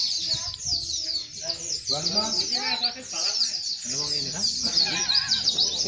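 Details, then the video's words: White-eyes at a launch event for a singing competition held only for white-eyes in Boja, Kendal, Indonesia. A dense, unbroken chorus of high, thin twittering comes from many birds at once, while a man counts numbers aloud in the foreground. "Lounching lomba burung pleci Boja koloni"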